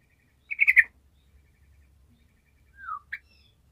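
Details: Sooty-headed bulbul in vigorous gacor song, played to prompt lazy bulbuls to sing: a quick bubbly cluster of warbled notes, then a pause, a single downslurred whistle and a short sharp note.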